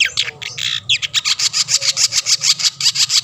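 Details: Long-tailed shrike singing hard, its song meant to provoke other shrikes: a rapid, steady string of harsh rasping notes, about six per second, after a few scratchy opening bursts.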